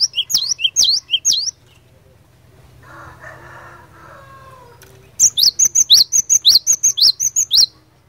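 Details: Glatik batu (cinereous tit) fighter-style gacor song used to make rival birds reply: three bright two-note phrases, a pause with faint murmuring, then a faster run of about seven repeated high swooping notes with lower pips.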